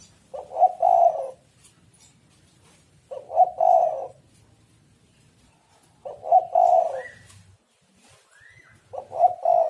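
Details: Spotted dove cooing to lure birds: four low, mellow coo phrases roughly every three seconds, each a brief note and a longer burred coo, with occasional higher chirps from other birds.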